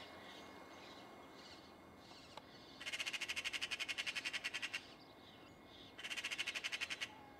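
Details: Magpie in rural Cyprus giving two bursts of dry, rapid rattling chatter, each of many harsh clicks in quick, even succession. A pause separates them, with faint background chirps and steady outdoor hiss.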